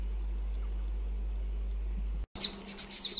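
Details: Little wattlebird gives a quick run of harsh, scratchy, high notes after a steady low hum; New Holland honeyeaters, upset at wattlebirds visiting their flowers, call in the mix too.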